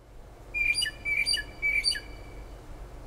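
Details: Unidentified bird singing late at night and early morning outside a kitchen window in Toms River, south-central New Jersey, about five miles from the shore: three short phrases, each a flat whistled note followed by a downslurred chirp, over steady background noise.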